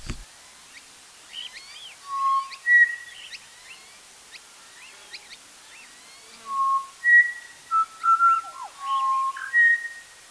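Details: A butcherbird visiting a camp on an overland trip in Western Australia gives clear, flute-like whistled notes, some held and some sliding, in two unhurried phrases separated by a pause in a quiet outdoor setting.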